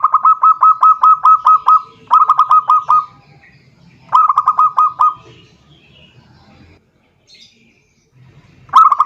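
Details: Zebra dove lure song calling a rival: phrases of rapid, rhythmic, ringing coo notes, about eight then five then six, repeated every couple of seconds. A quieter gap with soft background murmur comes before a final burst.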